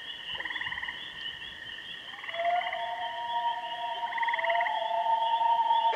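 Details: Common loons at Kennebec: three short quavering tremolo bursts set against long, smooth wailing notes that swell louder toward the end.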